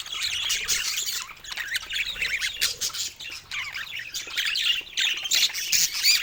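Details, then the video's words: First calls of a budgerigar chick: rapid rasping high squawks in uneven bursts, several per second, with brief gaps in between. "セキセイインコの赤ちゃん 初めての鳴き声"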